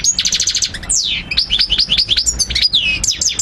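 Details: Mguneen, the European goldfinch, singing a training song for young birds. It opens with a quick run of repeated ticking notes, then a long downward-slurred whistle, then dense bright twitters and rising chirps.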